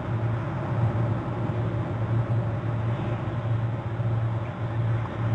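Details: Steady low engine-like rumble with a pulsing low hum throughout, and no animal voice heard.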